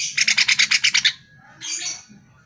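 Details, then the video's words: Lure recording of greater green leafbird song for caged birds: a quick rattle of about ten harsh, evenly pulsed notes, followed after a short gap by a single hoarse buzzy note. "Pancingan Suara Burung CUCAK IJO Dijamin NYAUT"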